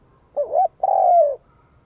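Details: Single phrase from a decoy spotted dove calling to rouse rivals: a short warbling coo, a brief pause, then a sustained, gently falling coo.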